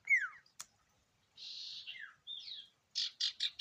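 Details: Ashy tailorbird (sirtu) song fragment: a falling whistle, a sharp click, a long nasal buzzy note, a rising-then-falling whistle and three rapid buzzy bursts.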